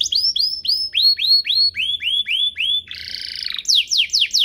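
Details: Singing canary used to tutor juvenile canaries and stimulate them to sing; a run of about a dozen evenly spaced, high, rising-falling whistled notes, then a buzzy trill and fast steep sweeps.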